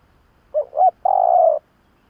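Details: Spotted dove call used to lure doves: a single phrase of two short rising-falling notes, then one long, level, slightly hoarse coo lasting about half a second, in silence.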